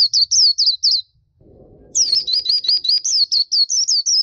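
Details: Black-capped white-eye, gacor masteran song: four rising-falling high notes, a pause with low background hum, then a long nonstop run of thin, wavy whistles to the end.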